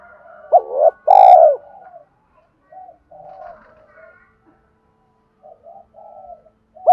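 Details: Spotted dove cooing in the 'Thúc' style meant to stir wild doves to answer: a loud clipped note and a long burry coo near the start, then soft, distant short coos and quiet gaps.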